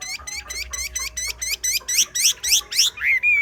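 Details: Chinese hwamei in xòe-style song, delivering a fast, even series of about a dozen sharp downward-sweeping notes, roughly four per second and growing louder, ending on a short slurred whistle.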